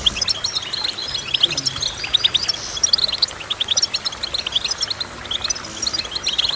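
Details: Goldfinch song of bright, fast chirping phrases: clusters of short high notes and liquid twitters, delivered in bursts about every second, with a soft hiss underneath.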